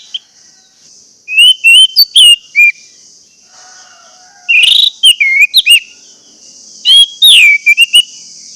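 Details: Orange-headed thrush whistling in a lure recording meant to make silent birds sing: loud phrases of quick bright notes arriving every few seconds, several sharply slurred, while a steady high-pitched hiss runs underneath throughout.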